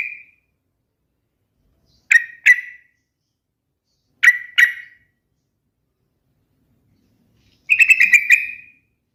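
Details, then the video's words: Sooty-headed bulbul singing: paired sharp chirping notes given twice, then a longer bubbling whistled phrase with a fluttering quality, in otherwise quiet surroundings. "SUARA BURUNG TRUCUKAN TERMERDU | The most melodious sound of the Trucukan bird"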